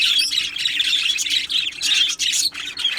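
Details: Aviary colony of budgerigars, Australian parrots, producing overlapping high chirps, warbles and harsh squawks in a busy unbroken chorus, with short dips in volume; a low electrical hum lies beneath.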